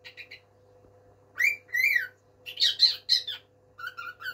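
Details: Pet bird calling its mate, giving a few soft notes, two rising whistled squawks, then a loud scratchy burst and short chirps, over a constant low hum.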